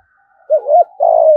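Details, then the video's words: One low phrase of a spotted dove from Đồng Nai, Vietnam, in the thúc gù, thổ-voice style: a rising and falling double note, then a long, loud coo drifting downward. "Chim cu gáy thúc gù giọng thổ bài bản nhất Đồng Nai"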